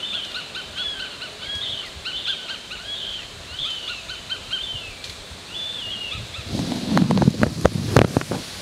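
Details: Juvenile Northern goshawks trying to catch up with their parent in Oyama city, Tochigi, Japan: repeated thin, whining, downslurred calls, roughly three a second, then loud rustling and thumping bursts near the end.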